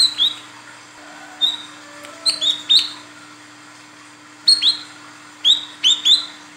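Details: Vocal female Olive-backed Sunbird calling the male, a lure for males: scattered high chirps in pairs and triplets, each sharp and rising, with short pauses between groups; faint steady hum.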